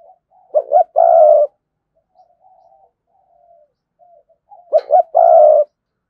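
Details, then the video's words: Spotted dove used to lure wild doves, in 'thúc gù' coo: two phrases of two quick dipping hoots followed by a sustained rough coo, with soft faint murmuring between phrases. "Chim cu gáy Cườm Sa thúc gù gáy gọi đủ bài. chim cu gáy kích bổi nhanh nổi"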